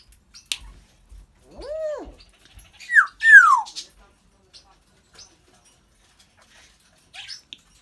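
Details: Pet African grey parrot chatting indoors: a pair of smooth arched whistles, then two louder falling whistled slurs, with soft clicks scattered between.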